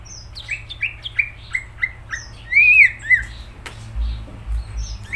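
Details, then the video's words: Greater green leafbird in full song: a quick run of bright chirps, about three per second, then a louder slurred whistle that rises and falls, over a faint low hum. "Cucak ijo gacor"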